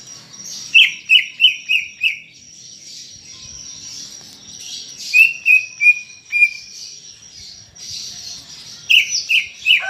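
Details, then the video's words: Greater green leafbird singing loudly, a captive bird played to prompt others to sing, giving rapid series of four or five clipped descending whistles, pauses between bursts, over a steady high hiss. "Ocehan Cucak Ijo Gacor untuk Pancingan Bunyi"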